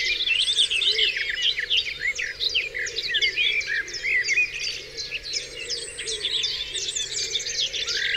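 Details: Dawn chorus at Dewlands Common: a busy mix of birdsong with rapid sharp chirps and short trilled notes, roughly three per second, plus scattered whistles over a soft background hum.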